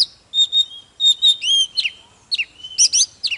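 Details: Short burst of Oriental magpie-robin song, meant to provoke intense singing: level whistled notes, a long rising whistle, and steep downslurred phrases, ending in bright high trills.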